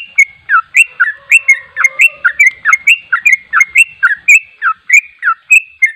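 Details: Sooty-headed bulbul singing in the rapid ropel style: a fast, unbroken run of short liquid whistled notes, each slurring down then up, roughly three per second, with faint lower tones beneath.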